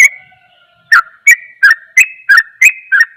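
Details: Sooty-headed bulbul rapid song meant to rouse other bulbuls: after a fading held tone and a short silence, seven crisp chirped notes follow at an even pace of about three per second.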